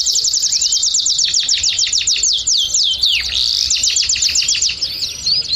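Belgian canary singing a fast, continuous stream of high, bright trills and rolling chirps, with several canaries overlapping throughout.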